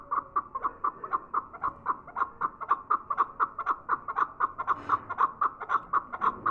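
A chukar gives a fast run of clucking chuck notes, about three per second, steady and slightly hoarse, with no other sounds.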